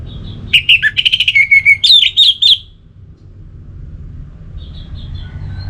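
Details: Orange-headed thrush (anis merah), a cage bird in Singaraja, North Bali, sings a rapid chattering run of buzzy notes flowing into warbled whistles, then falls quiet except for faint distant chirps and room hum.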